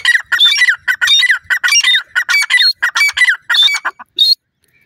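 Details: Grey francolin (irani teetar) in a rapid, excited burst of harsh chattering notes, tumbling phrases running together over about four seconds and ending in a final high squeal.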